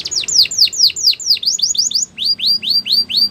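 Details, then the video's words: Training song from a canary: a chain of loud swooping down-slurred whistles, speeding up, then a steady series of rising chirps about five per second, with faint low background hum. "Canary song for training"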